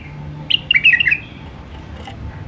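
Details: Wild White-eared bulbul singing in the Alwazi style: one quick warbled phrase of clear, bubbling notes that slide up and down. Faint low hum underneath.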